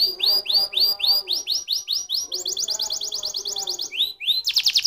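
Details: Singing canary delivering repeated upswept whistles, about four per second. These shift to a faster higher trill, then two rising notes and a final dense buzzing roll. Low soft tones are audible throughout.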